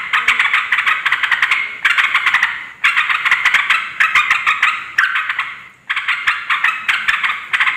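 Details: Yellow-vented bulbul calling noisily to draw in wild birds; dense rasping chatter in blocks of about one to two seconds, each made of fast repeated harsh notes that weaken toward the block's end before the next loud onset.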